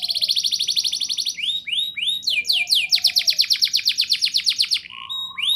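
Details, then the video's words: Canary delivering a lively rolling song used as a prompt for young canaries; a long rattling trill, several swooping notes, another extended roll, and a softer whistled ending. "Suara Burung Kenari Gacor Ngerol Nembak! Ampuh Untuk Pancingan Kenari Paud Biar Bunyi"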